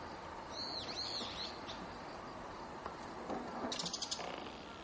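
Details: A flock of azure-winged magpies perched in a waterside willow in Japan in early November, preening and calling to one another: a quick run of arched, high whistled notes, then scattered short clicks and bursts over faint background hiss.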